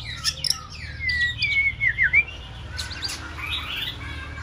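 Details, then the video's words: Practising young female white-rumped shama, six months old: soft high chirps, then a clear whistled phrase wavering and dipping, followed by faint scratchy notes and low hum. "Chòe lửa mái ổ tập hót"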